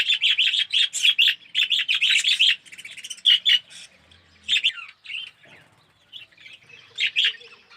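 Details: Budgerigar colony in an aviary, yellow birds with red eyes, chattering in rapid raspy chirps at first, then fading to scattered softer notes and occasional single calls.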